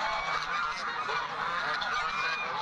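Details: Flock of Chinese geese calling loudly after being let out of their shelter on a summer morning before a storm; dense, overlapping nasal honks with no pauses.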